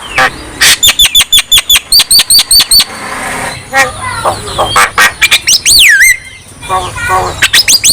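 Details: Javan myna song to encourage lazy birds to sing: rapid repeated sharp chips, a chattering jumble of notes, then long looping whistled swoops.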